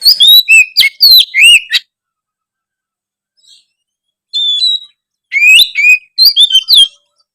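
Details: Oriental magpie-robin in persistent song, played to make idle magpie-robins sing more: quick sequences of swooping whistles and chirps, then quieter held notes and a final lively burst.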